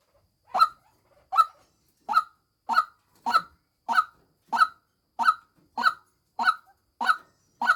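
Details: A decoy female white-breasted waterhen calls with a steady series of harsh, clipped croaks, roughly one and a half per second, loud and close against silence.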